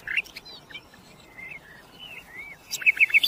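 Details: Common nightingale giving quiet, drawn-out slurred whistles at a low-middle pitch, then breaking into a louder burst of quick repeated sharp notes near the end.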